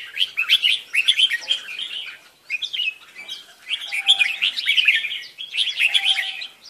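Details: Red-whiskered bulbul, a kept bird, chirping in dense bursts of bright twittering notes, each burst about one second long and separated by short pauses, with a faint low whistle between phrases.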